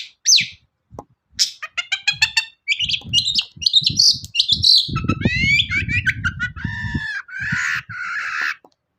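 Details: A long-tailed shrike's lure song, used to make other shrikes sing, with sharp chips, buzzy rattles and sweeping whistled phrases over a low rumbling noise in the middle.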